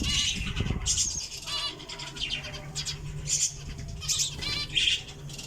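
Java sparrows give a string of sharp, high chips and squeaky notes, several each second, over a low background rumble.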